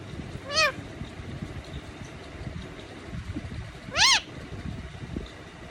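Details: Indian ringneck parakeet copying a cat's miaow: two separate arched, harmonic-rich meows about three and a half seconds apart, quiet rustling between.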